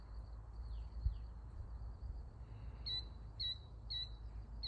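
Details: Killdeer on June 19, 2024: a few faint, thin falling slurs, then sharp high piping calls about every half second, over a steady low rumble of wind or distant traffic.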